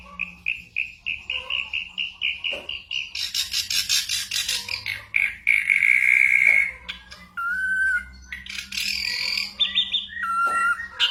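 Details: Mimicking ashy drongo, its repertoire holding gunshot and bird imitations, used to tutor moulting white-rumped shamas: a rapid run of even repeated notes, then a harsh buzzy burst, a long steady whistle and scattered whistled phrases.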